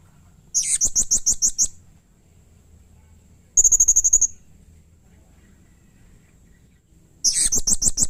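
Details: Blue-crowned hanging parrot giving rough, agitated calls said to provoke others of its species: three bursts of rapid, very high, sharp notes, the middle one a tight run of thin ticks, separated by quiet gaps of about two seconds.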